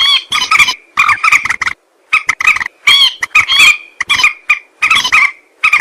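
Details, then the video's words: Common moorhen calling, recorded for use as a hunting lure: harsh, nasal croaks in tight rapid groups, with some notes rising slightly in pitch and clear gaps between groups. The recording is loud and clean, with no background. "Moorhen bird hunting voice 2024 | Moorhen birds best sound | Jal morgi ki awaz"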